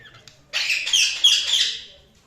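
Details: Budgerigar chirping: after half a second of quiet, a dense, harsh, scratchy warble runs for about a second and a half, rising twice in loudness before trailing off.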